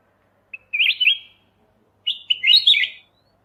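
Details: Training master recording of a Kutilang emas mata putih bulbul: a short pip, then two sweet wavering whistled phrases about a second and a half apart.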